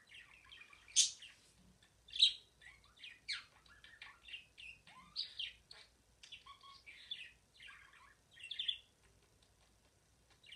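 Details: Singing pet budgerigar: a lively chatter of high chirps, buzzy trills and descending whistled slurs, with two loud squeaks early and softer twittering after.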